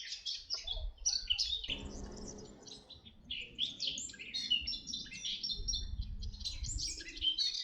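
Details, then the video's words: Red-backed shrike (Lanius collurio) at Artomaña, Orduña, Bizkaia, northern Spain, 2025, a summer visitor breeding May–June in countryside: rapid, nearly continuous jumble of scratchy chattering notes and sharper high chirps over low rumbling noise. "alcaudón dorsirrojo - red-backed shrike (lanius collurio)"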